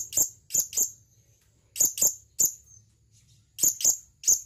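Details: Calling male blue-crowned hanging parrot summoning a female, giving piercing high chirps in groups of two or three, each burst spaced about a second apart, over a faint low hum.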